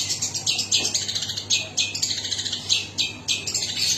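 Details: Long-tailed shrike singing a series of harsh, buzzy, high chattering notes in quick irregular bursts, with a low background hum.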